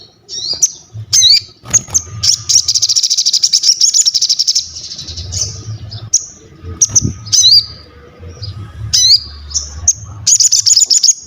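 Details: Crested jay singing vigorously, recorded as training and master material for other birds: sharp high whistled notes with upward flicks, then a long, fast, buzzing rattle-trill. More whistles and a second rattle follow over a faint low hum.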